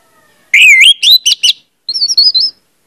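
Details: Lure song of an orange-headed thrush, meant to get other birds singing freely: a loud dipping whistle, then several short rich slurred notes, then a brief pause and a thinner, higher warbled run.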